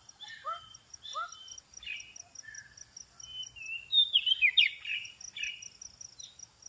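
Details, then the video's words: Lure recording of an Oriental magpie-robin: short downslurred whistles early on, then a loud tangle of fast warbled and trilled whistles, over a thin continuous high buzz and faint low rumble. "suara pikat burung kacer paling AMPUH terbaru"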